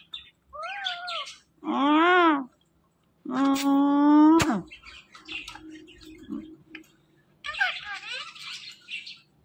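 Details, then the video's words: Pet parrot talking indoors: a few separate harmonic, wavering vocal phrases with speech-like tone, including a long rising-and-falling phrase, then softer chatter and a low hum. "Beautiful And Amazing Talking Parrot"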